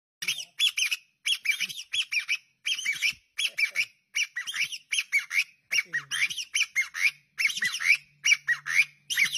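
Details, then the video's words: Bamboo partridge calling: loud harsh squawking notes repeated in rapid bursts, roughly one a second, continuing throughout with faint low sounds behind. "Relaxing sound of bamboo partridge"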